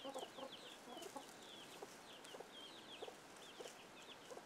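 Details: Chickens with young chicks that scramble at an alert sound: dense clusters of high, falling chick peeps mix with short, low, irregular clucks.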